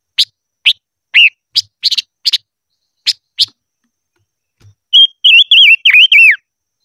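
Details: Silver-eared mesia in voice training, in the 'hót ché' style: a run of sharp dry chip notes spaced irregularly, then a rapid burst of wavering, warbled whistles that dip and slide downward; no other sounds.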